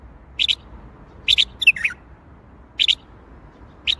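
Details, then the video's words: Singing bulbul, Baghdadi style: doubled whistled notes repeated at intervals, broken by a falling warbled phrase in the middle, clean and close with little background noise. "تغريد بلبل طور بغدادي"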